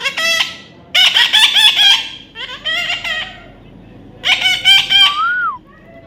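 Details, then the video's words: Baby parrot during taming making loud, squawky and chattering calls in bursts, with warbling, nasal notes and a closing rising-falling whistle. "natural funny parrot sound"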